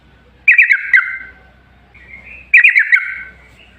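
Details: Two short bubbling bursts of yellow-vented bulbul song, each a few quick notes ending in a buzzy trill, used as a lure to make other bulbuls sing, with a soft low hum behind.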